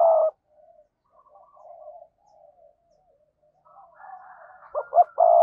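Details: Spotted dove decoy calling: a long low coo, faint distant cooing, then two short coos and another sustained hoot.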